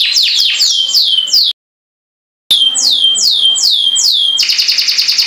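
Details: A caged canary sings high, bright notes that sweep downward, about two or three a second, then breaks into a rapid, buzzy trill, with a brief silent gap.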